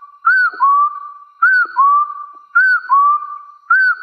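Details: Wild hill partridge challenging rivals with four repeated phrases: a quick arched whistle leading into a drawn-out upslurred whistle, phrases spaced just over a second apart.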